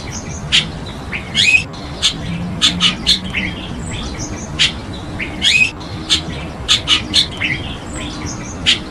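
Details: Chestnut-tailed starling, introduced in Taiwan, calling with short sharp chirps and scratchy rising squawks, clustered in quick groups separated by brief pauses, with a faint low hum behind.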